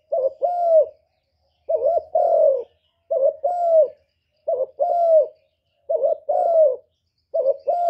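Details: Repeated cooing of a spotted dove, the terkukur: a steady series of paired phrases, a short coo then a longer falling coo, recurring roughly every one and a half seconds, loud and close in a quiet setting.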